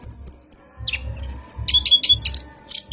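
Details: Brief night lure of an orange-headed thrush for cage birds, rolling song: high thin whistled notes, a few sharp chips and a squeaky rising phrase, with low thumping sounds.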